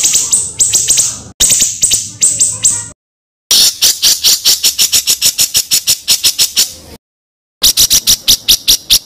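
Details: Master recording of a songbird for teaching contest birds rough rolling phrases: harsh, very high pulsed rattles in separate bursts, with clean silent gaps between spliced segments.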